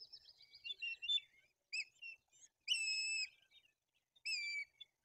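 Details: White-tailed eagles at a nest in Tuchola Forest while an adult brings a fish, chicks are fed and the older chick acts aggressively; thin high whistled calls, some wavering, others short clipped notes, in irregular bursts with silent gaps.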